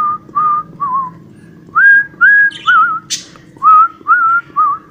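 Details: Cockatiel whistle imitating the song Johny Yes Papa: short pure whistled notes, some level, some rising or trilled, in a slow phrase with one brief scratchy note midway and a faint low hum.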